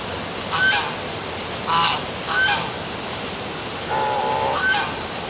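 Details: At night near City Hall in Milford, Connecticut, geese give a few separate honks, some with a thin whistled edge, spaced about a second apart above continuous waterfall noise.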